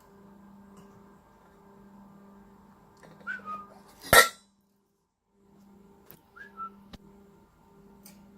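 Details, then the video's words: A pet male cockatiel indoors, playing with his new food bowl and getting excited, chats and sings: two short whistled notes that slide down then level off, several seconds apart, over a steady indoor hum and a sharp clatter. "Cockatiel Has A Chat, Sings"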